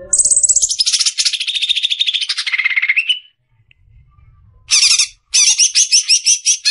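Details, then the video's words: Greater green leafbird (cucak ijo) in 'besetan' song used to train caged birds: a long, fast rattling trill descending steadily in pitch, a pause, then stuttered high chattering bursts. "SUARA JERNIH,Besetan suara burung CUCAK IJO."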